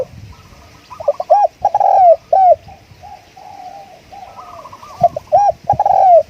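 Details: Decoy spotted dove singing a series of strong, curved, hoarse coo notes in two bursts, with softer, higher, rolling coos from another dove in between.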